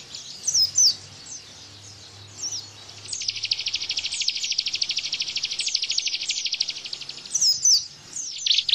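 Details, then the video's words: Bar-winged prinia giving its 'bren' burst song, played to teach caged white-eyes: scattered high chirps, then a long, dense buzzy trill of about four seconds, ending with more sharp chirps. "Tembakan Ciblek Bren Untuk Masteran Pleci"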